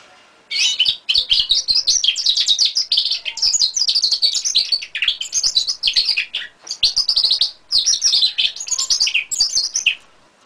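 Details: A five-month-old European goldfinch × canary hybrid sings a lively, unbroken stream of bright twitters and quick trills.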